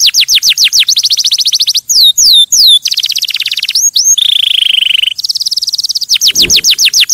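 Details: Singing canary used to stimulate other birds: rapid falling trills, a few loud descending swoops, a sustained buzzy tone, then quick repeated notes again.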